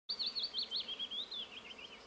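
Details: Willow warbler singing at Bojná, Topoľčany, Slovakia: a quick, sweet series of whistled notes that starts abruptly and slides gradually downward in pitch over about two seconds, over faint background hiss.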